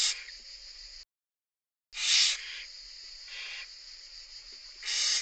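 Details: Barn owl chicks in a nest, recorded as the mother feeds them after a third chick hatched, hiss steadily, a harsh breathy rasp swelling into louder snoring bursts every one to two seconds, with one brief silent gap.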